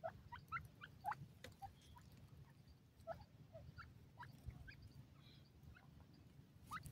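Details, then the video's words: Several wild black francolin chicks feeding on green grass give thin, high peeps and short chirps, scattered irregularly, some sliding upward, over a steady low rumble of background noise. "cute gora teetar babys"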